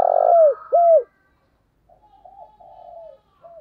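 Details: In the morning a decoy spotted dove ends a phrase with a rough purring coo and one clear downcurved hoot, followed by quieter, softer wavering murmurs after a short silence.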